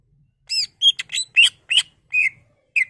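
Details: Greater green leafbird singing its varied 'bongkar isian' repertoire to prompt other leafbirds into song: a rapid run of sharp, chirpy whistles and buzzy notes, each different, spaced about a quarter second apart, no other sounds.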